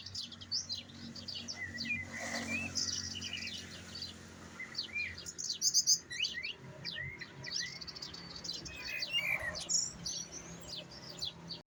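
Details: A trained European goldfinch sings the Jahmoumia style: bright, high, rapid chirps and twitters with looping whistled slurs, a few louder buzzy bursts, over a faint low hum.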